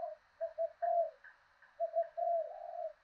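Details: Decoy spotted dove with a southern Vietnamese 'thổ đồng' voice, calling to provoke wild doves. Short mellow coo notes come in two quick groups over a steady background hiss.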